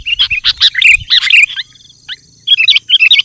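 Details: Chattering gacor song of a sooty-headed bulbul, used to call wild bulbuls: a fast jumble of high, bouncy notes, a brief lull with a thin note, then renewed quick chirping.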